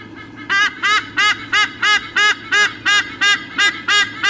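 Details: Two eagles at their nest in Sydney Olympic Park, Australia, recorded by nest camera on 3 August 2014 as they squawk before changing over. Twelve evenly spaced, harsh, goose-like squawks repeat about three per second over a low steady hum.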